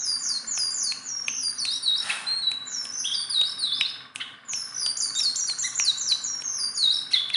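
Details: Sunda bulbul, a very tame bird that can be handled, in full nonstop song: rapid high chirps and short descending whistles tumbling over one another almost without a break.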